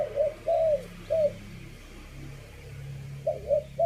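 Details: Spotted dove cooing in short low hooted phrases, a group of three soft coos, a pause, then more coos, over a low background hum.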